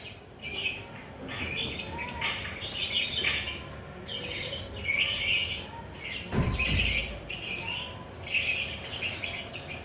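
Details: Relaxed perched lovebird in ngekek chatter, giving raspy, shrill squawking bursts in irregular bouts, with one low thump partway through and a couple of faint whistled notes in the background.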